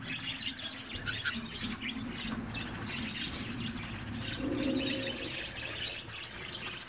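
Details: Budgerigars in a colony hut, a mix of chirps and short warbled notes from several birds, with wing flutters and a low hum behind.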